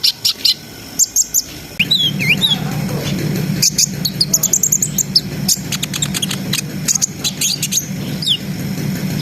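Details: Brown-throated sunbird in gacor ngriwik ngerol nembak song, meant to raise breeding arousal: high squeaky whistles, a wavering trill and fast ticking notes, partly over a steady low droning hum.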